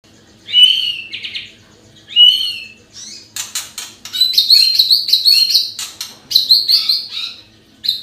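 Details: White-rumped shama singing as a lure for other birds: clear whistled phrases, then a dense run of high rich notes mixed with sharp clicking or fluttering sounds.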